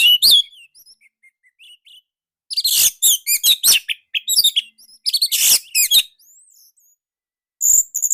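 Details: Orange-headed thrush giving a tight, loud lure song for tutoring other birds, in dense bursts of harsh chirps and quick whistles, with soft twitters between bursts.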